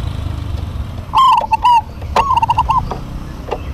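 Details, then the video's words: A pair of local zebra doves singing in duet. A brief stuttered coo is followed by a rolling phrase of quick, bubbling notes, with a faint click near the end over low hum. "DUET PERKUTUT LOKAL GACOR"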